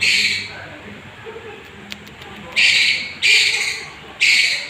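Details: Young long-tailed shrike heard in lure audio meant to provoke rivals. It gives loud, noisy, rasping squawks, one at the start and then three more at irregular intervals of under a second, with a few faint ticks between them.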